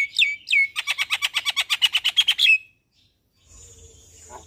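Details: Javan myna singing in the morning, recorded as a master for training caged birds: two whistled slurred notes, then a fast, even run of about fifteen buzzy chattering notes, ending abruptly before a faint background hum.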